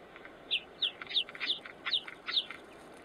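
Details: Chukar partridge calling, from a recording of male and female birds: six sharp, high, slightly descending notes repeated roughly every third of a second, over a steady quiet background hiss.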